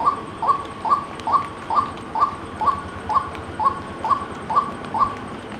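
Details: Repeated hollow single notes from a white-breasted waterhen, evenly spaced about two per second, each note short and slightly rising, against a soft, steady noise floor.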